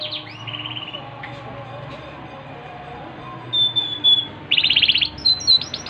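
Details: Yorkshire canary song that stays soft at first with a brief trill and faint notes, then turns loud with a long pure high whistle and a dense rapid rattle-like trill. A low hum is present throughout.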